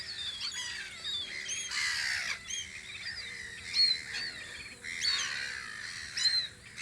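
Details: Many seagulls calling at a guard post on Audru polder in spring. Loud bursts of squealing, slurred cries overlap with quicker yelping notes, and a faint constant hum runs underneath.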